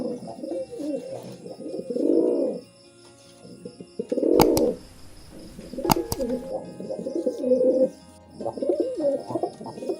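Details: Mating pigeons cooing in low, throaty swelling notes, a few long bouts separated by short pauses, with two sharp clicks or knocks in the middle and a faint steady hum behind.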